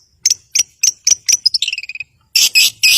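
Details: Long-tailed shrike (cendet) singing to coax quiet birds into song: evenly spaced sharp high notes, then a quick descending chattering run of whistled notes, closing with three loud harsh rasping bursts.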